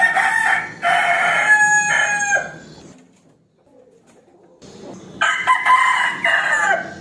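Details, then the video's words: Challenging crow of a rooster calling a rival to fight: a loud, raspy, stretched crow of about two seconds, a near-silent pause, then another crow of similar length. "Suara Ayam Jantan Berkokok | Suara Ayam Jago Berkokok | The sound of the rooster crowing"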